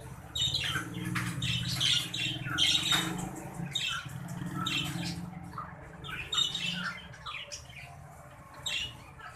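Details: Green budgerigar breeding pair chattering in a dense, continuous stream of scratchy chirps and short squeaks, without a steady rhythm, over a constant low hum.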